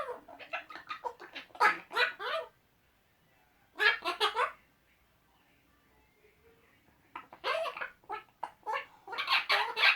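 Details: Pet Eclectus parrot boys chatting to each other with silly noises: three bouts of fast, scratchy, clipped chatter separated by quiet gaps of one to three seconds.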